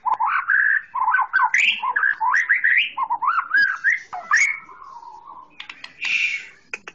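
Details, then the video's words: Varied, tumbling green leafbird song meant for tutoring young birds: rapid rising and falling whistled slurs, a few buzzy notes, a long sliding whistle, and a harsh scratchy burst near the end. "Masteran Full!!! Cucak Ijo sangat ampuh untuk bikin burung muda anda gacor ngeplong"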